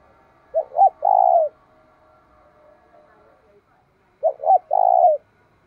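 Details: Decoy spotted dove calling to provoke rivals; two three-part cooing phrases about 3.7 seconds apart, two short hoots and a long steady coo, over a faint steady hum.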